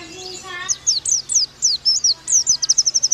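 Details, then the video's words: Oriental white-eye master song for training young birds: a short wavering harmonic whine, then high, slurred falling chirps that speed into a tight run of rapid repeated notes, with a low hum beneath. "Pleci Bakalan Nembak Pake masteran ini!!!"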